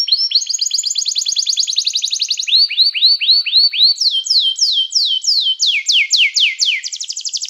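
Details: Canary song, used to call other canaries to sing and to train them: rapid rolling trills in clear tours, starting high, dropping to a series of downward-swept notes about four per second, then rising again; clean, with no background.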